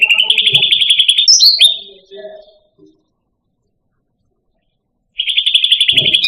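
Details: Indonesian grassbird (cucak rante) kept as a pet songbird: a fast, dense rattling trill ending in a sharp rising whistle, then a few soft notes, a long pause and the trill starting again.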